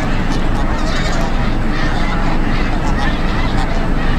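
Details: Vast snow goose flock at a Delaware wildlife refuge, December 2006: constant honking chorus over heavy low rumbling, likely wind.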